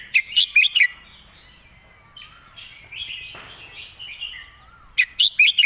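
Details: Red-whiskered bulbul singing a clear, well-articulated master-pattern song: bright whistled phrases of four quick notes open and close the stretch, with softer chirps from other birds between them.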